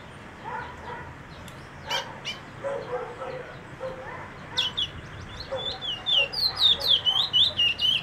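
Brown bullfinch: after a quiet start, a quick run of high, clear whistled notes at about four per second, with faint lower chirps in the background.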